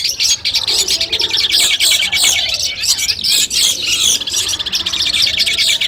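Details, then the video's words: Collected Long-tailed shrike singing, used to train birds before a contest: busy, high, scratchy chatter with rapid repeated notes and trills running without pause throughout. "masteran kumpulan suara cendet tes mental sebelum lomba"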